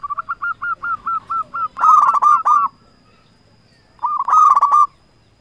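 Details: Local zebra dove giving a lure song to stir rivals into calling back: a run of about nine evenly spaced short coos, then two loud bursts of rapid ticking notes blending into rolling trills.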